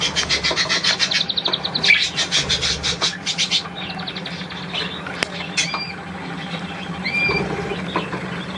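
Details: Three small budgerigars kept as pets, recorded on 10 March 2013: bursts of rapid, bright, harmonic chirping and scratchy warbles, followed by thinner squeaks and short clicks and a few soft, clear whistled notes near the end.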